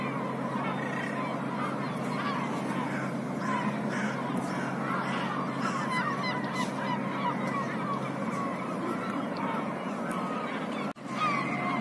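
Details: Black-headed gulls in a city, a crowded flock giving many overlapping harsh, nasal calls without pause, over a steady low mechanical hum and a brief sharp knock near the end.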